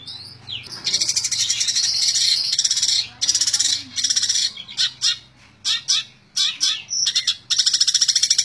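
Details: Long-tailed shrike delivering continuous tembak ngebren song: dense buzzy, grating bursts of high notes run together, then separate into shorter sharp clusters with brief gaps before another steady rapid stream.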